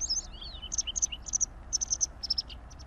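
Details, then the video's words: A white wagtail delivers high, clipped double chirps in quick series, mixed with a few lower slurred whistles, over a soft steady background hiss. "Canto de la Lavandera Blanca"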